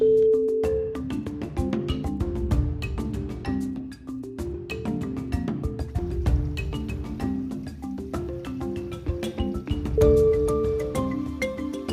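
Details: Mallet-percussion music with vibraphone-like tones and steady rhythmic notes, with no animal sound heard.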